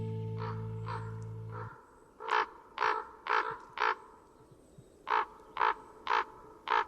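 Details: Common raven (Corvus corax) gives a series of hoarse, rasping croaks, about two a second in short bursts, much hoarser than the carrion crow; brief music plays at the start.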